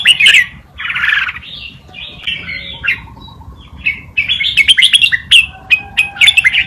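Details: Red-whiskered bulbul tutor song, forest style, used for teaching young birds: opening rough chattering notes, a quieter pause, then quick bright whistled chirps repeated in a fast rhythmic burst.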